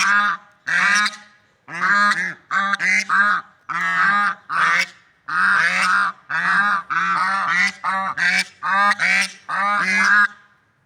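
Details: Swans in nature calling steadily, a long run of loud, brassy, nasal honks, some short and some drawn out, coming about one per second with brief gaps, several birds overlapping at times.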